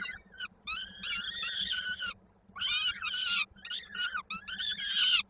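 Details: Peregrine falcons feeding at their nest in Koszalin, Poland, 16 May 2022, a chick's foot stuck in a beak: bursts of shrill, rasping harmonic calls, several per second, broken by brief pauses, over a low hum.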